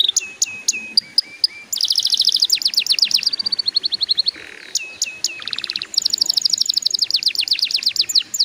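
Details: Song of a canary used to encourage young birds to start singing: spaced downslurred chips, then dense rapid trills, a low buzzy roll and a clicking rattle, followed by quick high repeated notes.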